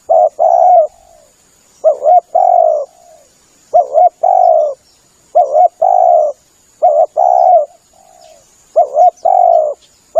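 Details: Spotted dove cooing for luring birds: double-note then drawn-out coo phrases repeated about every one and a half seconds, six phrases in a row over a faint high hiss.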